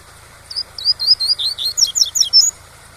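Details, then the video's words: Coleiro pardo, the double-collared seedeater, in tui-tui song used as a teaching model, over waterfall sound: about ten clear, high whistled notes, rising and falling slurs delivered briskly over two seconds, then a last short note. "ENCARTE TUI-TUI com Som de CACHOEIRA para Ensinar seu COLEIRO PARDO"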